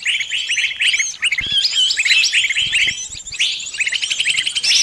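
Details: Pinched bird calling for help from its companions, uttering quick clipped chirps and a few higher whistled slurs, with a short pause after the first second before the frantic run resumes.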